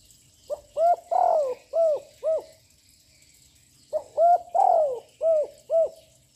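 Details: Continuous song of a young, loud spotted dove meant to provoke other birds: two identical phrases, each a quick pickup note, a long sliding coo and three short rounded coos, separated by a pause.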